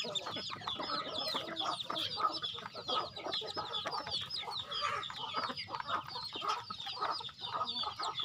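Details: Farm chickens gathered for feeding, giving a continuous, slightly quieter chorus of thin falling peeps and soft clucking from many birds at once.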